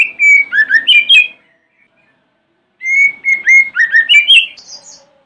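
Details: White-rumped shama morning song to provoke other shamas to respond: two similar rich phrases about three seconds apart, each a level whistle running into quick rising slurred notes and high chirps.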